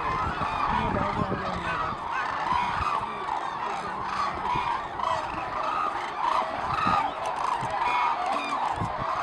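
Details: A large flock of hooded cranes circles and climbs over Izumi on 10 February 2013 as it sets off on the northward migration. The birds call without pause, overlapping loud bugling honks in a dense, clamorous chorus, with a faint low rumble beneath.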